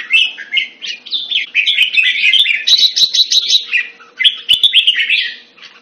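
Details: Caged red-whiskered bulbul, kept Thai style in Singapore and recorded around 14 February 2018, singing a fast run of warbled, chattering whistles that rise and fall with barely a pause. Sharp clicks and a faint steady hum sit underneath.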